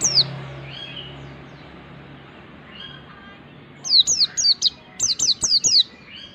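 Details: Mountain white-eye singing in the ngalas style, used as tutor material for other birds: a lone high descending note, a long pause, then a burst of about seven sharp, downward-slurred whistles, with faint softer chirps in the background.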